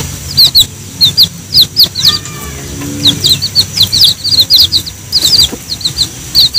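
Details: Chicks gather as the mother hen calls them to eat ripe banana; dense, high, bright peeps repeat in rapid uneven runs, with a brief lower drawn-out note near the middle.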